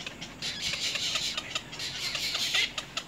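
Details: Little egret chicks at the nest, biting their mother: a short run of scratchy, hissing squawks in quick, uneven pulses.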